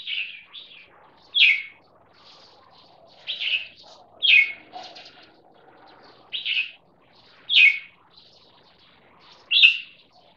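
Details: A one-and-a-half-year-old crossbreed jambul, a red-whiskered bulbul of champion competition lineage, gives short, sharp whistled phrases roughly every one to two seconds over a faint murmuring background.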